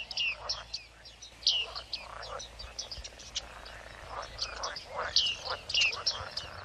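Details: Bearded reedlings giving high, clear ping notes, several birds calling, with short bright metallic pings repeated irregularly over softer chatter and a faint low rumble.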